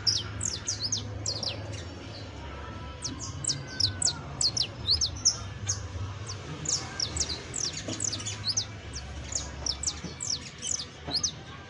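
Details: A fine saffron finch sings a dense, continuous stream of thin, high, downslurred chirps, tumbling rapidly with almost no pauses, against a quiet low rumble.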